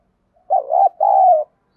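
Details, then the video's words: A single resonant double coo from a Spotted dove, 'giọng đồng' voice, used to draw wild doves to a decoy and provoke them to fight. The first note wavers and the second is sustained and steady. "chim cu gáy giọng đồng thúc đấu"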